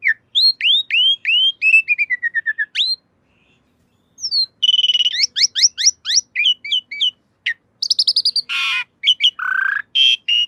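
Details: Jalak suren, or Asian pied starling, in a training master for cage birds. Varied song of curving whistled notes falling in series, a pause, then dense mixed chirps, buzzy harsh notes and low whistles.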